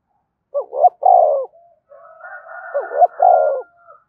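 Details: Spotted dove cooing meant to stir fighting, two quick rising notes and a long falling coo, repeated twice, with a faint higher whistling hum between phrases.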